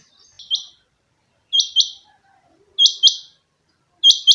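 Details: Caged rain quail, known locally as chinga batair, repeating sharp two-part whistled calls at an even pace, about one pair every 1.3 seconds, with near silence between.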